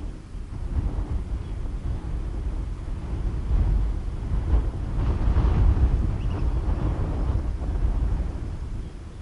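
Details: Low, gusty wind rumble buffeting the microphone, swelling midway, with no animal voices.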